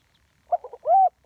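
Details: Spotted dove in a live ground-decoy recording of the one-kuk style. A few soft broken notes lead into a single smooth, rising-then-falling coo, and another note starts at the end.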